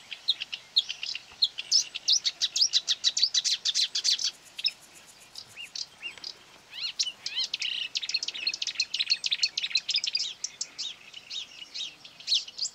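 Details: Marsh warbler singing fiercely against a mobile phone playing its song near quarry workings, 9 May 2020: a long, fast, chattering run of varied scratchy and whistled notes, dense and continuous, with a brief lull midway.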